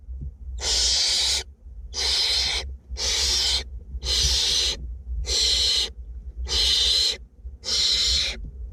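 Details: Seven rapid, evenly spaced hissing screeches, about one per second, from two barn owlets being fed inside a nest box in north Glasgow.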